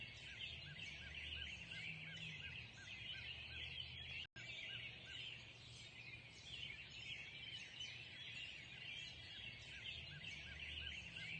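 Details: Morning birdsong at sunrise: layered high chirps and trills from many birds, repeated short mid-pitched notes in quick series, a low background drone, and a short silent dropout early on.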